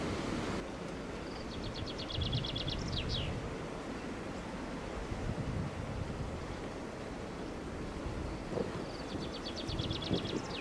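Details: Northern lapwing at a wet meadow pool on farmland, recorded from a bird hide on a sunny day with strong north wind: two bouts of a rapid, even stutter of high notes ending in an upslurred whistle, over heavy wind noise.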